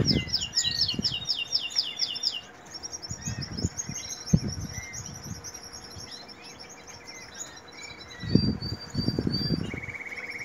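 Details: Canary during the breeding season, singing rapid high trills and chirped phrases, with pauses between bursts; low thumping and rustling noises recur underneath.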